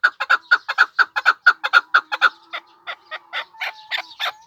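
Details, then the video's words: Even, rapid clucking from a Pamir chukar partridge, a regular train of chuck notes that thins out and spaces apart toward the end, with a faint thin whistle beneath. "Кабки Помир"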